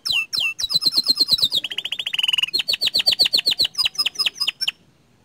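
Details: Canary singing in gacor style: a fast run of high sweeping notes, then a rapid rattling trill and bright repeated chips, clean and unbroken for about five seconds.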